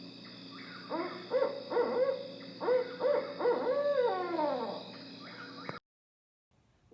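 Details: A barred owl at John James Audubon State Park, Kentucky, gives its rhythmic 'who cooks for you' hoots, ending in a drawn-out descending 'you-all' note, over a steady hum; the species calls day and night.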